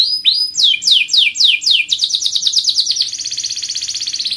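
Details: Singing canary with a rolling song: bold downward sweeping whistles in quick succession, then a fast even trill that carries to the end.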